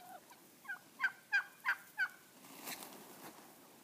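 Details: Wild turkeys, a flock of about 30, in a Montana back yard one morning in mating season, toms strutting; four loud hoarse notes about a third of a second apart, with fainter notes just before.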